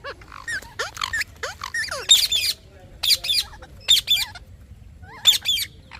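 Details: Parrot chirping with a mix of quick rising and falling whistled notes and short harsh squawks, uneven spacing, fairly busy throughout.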